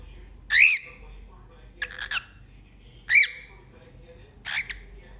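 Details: Cockatiel giving four loud, harsh chirping squawks, each short with a bent, rising-then-falling pitch and bright overtones, spaced roughly a second apart, two strong and two softer, in a quiet room.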